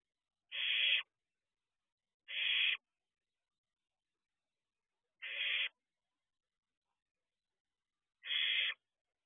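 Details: Barn owl owlet at a nest box at 4:31 am on 6/2/23, looking around outside. It gives four harsh, hissing screeches, each about half a second long, at uneven gaps of two to three seconds, with silence between them.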